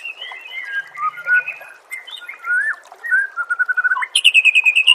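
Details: Oriental magpie-robin singing for songbird training, soft warbled whistles that wander up and down in pitch, ending in a rapid burst of high, repeated ringing notes.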